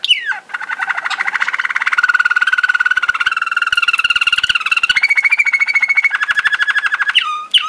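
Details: A Waterslager (Malinois) canary, 2011, Sakarya, sings long rolling trills that shift between steady pitches, framed by quick upward whistles.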